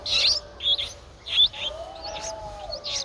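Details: A Streak-eared Bulbul nestling, 11 days old (eyes opened at 7 days), gives high, scratchy begging chirps in quick bursts, roughly twice a second, over a faint low hum; Ubon Ratchathani, Thailand, 13 April 2023.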